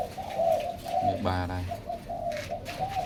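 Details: Many zebra doves kept indoors as breeding pairs give soft rhythmic coos in repeated short bursts, interrupted halfway by a man speaking.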